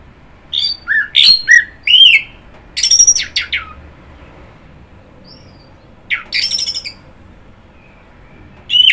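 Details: Orange-headed thrush singing a varied series of loud whistled and rasping phrases in bursts, some notes swooping up and down, separated by pauses of a few seconds, with a quiet background.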